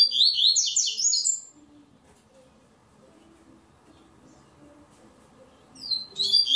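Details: A Double-collared Seedeater from Ribeirão Preto, São Paulo, Brazil, singing in an online song contest gives a rapid, high, twittering phrase of clear notes, pauses about four seconds, then starts again; faint low murmuring in the gap.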